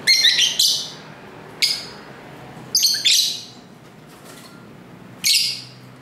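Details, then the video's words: Pet lovebirds call back and forth indoors, giving shrill, rasping squawks in short bursts, some doubled, about five in six seconds, picked up by a camera's built-in microphone in a home near a main street. "Love Bird Sounds"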